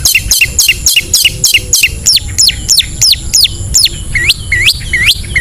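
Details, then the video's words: Long-tailed shrike in ngetet style, a lure for lazy cage birds: rapid chattering series of sharp descending whistles shifting to lower upturned notes, several per second, with a low background rumble. "SUARA CENDET NGETET"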